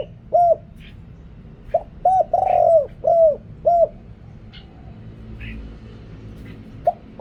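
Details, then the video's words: Deep-voiced spotted dove decoy calling in wild doves, cleaned of noise: a phrase of soft arched coos and one long rolling coo, then a quiet gap and a single coo at the end. "เสียงต่อนกเขาใหญ่ เสียงใหญ่"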